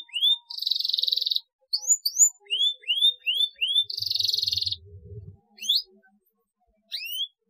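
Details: Canary chirps to stimulate silent canaries into song: short rising whistled notes in series, two buzzy trills, and a brief low rumble in the background.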